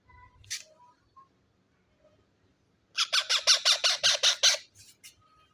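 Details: Baby parrot making sweet sounds while dancing: a fast run of harsh, buzzy squawks, about eight in under two seconds, after a few faint whistled notes.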